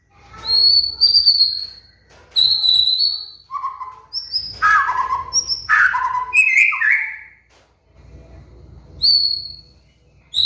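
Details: Lure song of a caged white-rumped shama, played as a master for moulting birds: high thin whistles alternate with lower rich warbled phrases and burry notes. There is a faint low hum underneath.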